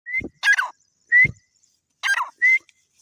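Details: Grey francolin calling, short rising whistled notes alternating with harsh, broken, buzzy bursts, the phrase given twice in three seconds against a silent background.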